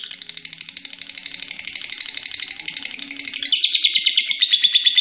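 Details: Lovebird kept as a pet, chattering nonstop until morning, recorded indoors: a rapid, loud, buzzy ngekek trill of sharp high notes pulsing about three times a second, rising slightly in pitch near the end.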